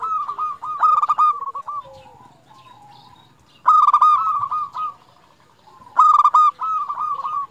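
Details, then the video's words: Local zebra dove singing frequently, used to lure other zebra doves into song: three loud stuttering, burry cooing phrases, each a rapid trill of low notes followed by softer rolling coos, with quieter cooing between phrases. "Perkutut Lokal Gacor Paling Ampuh Untuk Pancingan Burung Perkutut Agar Bunyi"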